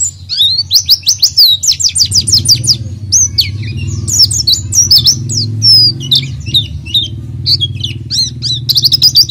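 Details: Oriental white-eye lure song with quick high chirps and slurred whistles in bursts, while a steady low engine-like rumble starts after two seconds and continues underneath.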